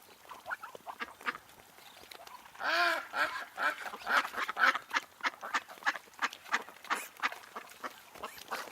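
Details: Ducks and drakes on the Tsnyanskoye (Chyzhouka) reservoir in Minsk in July quack in a rapid, uneven chorus of short nasal calls, with one longer, louder drawn-out quack near the middle and faint background noise.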